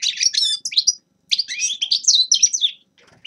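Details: Grey-crowned goldfinch producing clear, sweet twittering phrases with tinkling, slurred notes, split by a short pause after the first second.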